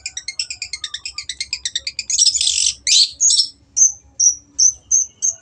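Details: Long-tailed shrike (cendet) song from a clear training recording: a fast even series of about twenty ticking notes, then a harsh dense burst, then slower, evenly spaced thin whistles near the top of its range.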